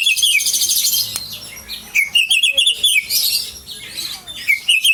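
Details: White-rumped shama of the Aceh type singing a fast, dense run of high chirps, trills and sharp whistled notes, bursts following one another with brief pauses and no other sounds.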